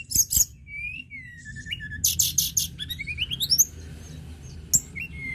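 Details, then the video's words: A lark sings a lively, varied song of high buzzy bursts, thin whistles and quick rising note runs against a quiet background; used to stimulate other larks to sing. "Tledekan gunung gacor"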